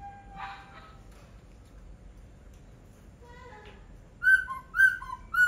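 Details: Laughingthrush song opening with a short buzzy note and a soft fragment, then a series of three loud, pure whistled notes about half a second apart.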